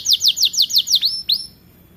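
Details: Young canary beginning to sing, about six clear downslurred whistles in quick succession, then two sweeping notes and a fade to quiet.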